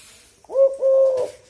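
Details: Brief cooing from a tame Eurasian collared dove calling at night: a short note running into a long, even, low coo.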